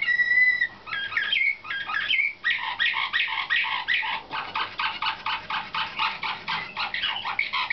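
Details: Slavujar (nightingale-type) canaries from 2013, young caged birds in training for competition, open with two pure held whistles, then some quick rising slurs, then a long tour of a repeated clipped note, about six per second, strongly rhythmic.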